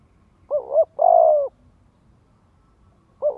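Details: Lure call of a spotted dove for training young doves to coo: a quick two-note lead-in followed by a drawn-out mellow coo, then silence before another phrase starts.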